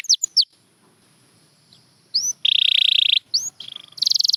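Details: Scattered high descending notes from a champion canary, a quiet gap with faint background noise, then a rising whistle, a sustained dense buzzy roll, and a final rapid high trill.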